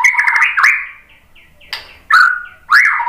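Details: White-rumped shama song used to lure birds into singing: a quick warbled chatter, then pauses broken by separate slurred whistles that dip and rise.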